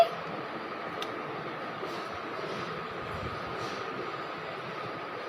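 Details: Constant broadband hiss and indoor hum with an occasional faint clink, and no animal voice heard.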